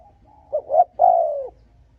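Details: One phrase from a spotted dove cooing to provoke and lure rival males: two short rising hollow notes run into a long, smooth coo that drops in pitch at the end.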